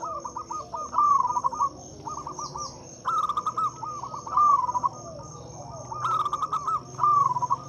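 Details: Local zebra dove calling to its kind as a lure for mute doves, several cooing phrases of rapid soft pulses with brief rolling trills, repeated every second or two, constant shrill insect drone in the background.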